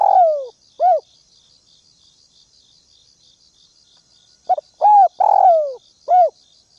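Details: Calling spotted dove used as a ground decoy in the Northwest, provoking rival doves: a long falling coo and short arched note, a gap, then a fuller phrase of clipped notes, coos and a drawn-out descending coo, insects trilling throughout.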